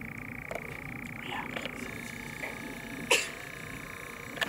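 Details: A steady, unbroken mechanical churr from European nightjars in courtship at dusk fills the whole stretch, with a few sharp snapping clicks on top.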